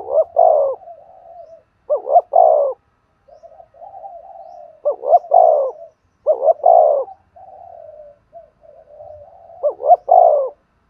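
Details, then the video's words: Spotted dove cooing, used to train decoy birds: four loud phrases of a quick double note plus a drawn-out falling coo, every two to three seconds, separated by quieter low warbling coos. "tiếng cu gáy kích bổi và tập mồi hiệu quả"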